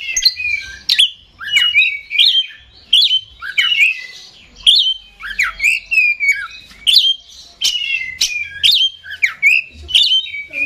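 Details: Oriental magpie-robin, a hobbyist's contest-type songbird, in energetic nonstop singing: bright whistled phrases repeated about every second, each a quick downslurred-then-rising note followed by crisp high chips, steady and rhythmic throughout.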